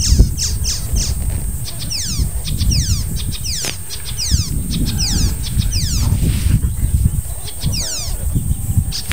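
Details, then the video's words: Icterine warbler, an unusual early-July visitor that stayed a few days and mimics other birds, sings a fast, varied run of high downslurred whistles and chattering notes in quick repeated phrases over a low rumble of wind or distant traffic. "Song of the Icterine Warbler"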